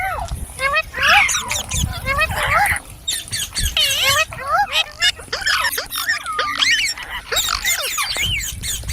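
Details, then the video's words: Green parrots, described as talking, keep up a lively stream of looping whistles and sharp squawks, many birds calling over one another in pulsing bursts. "Beautiful Green Parrots Talking | Funny Parrot Sounds"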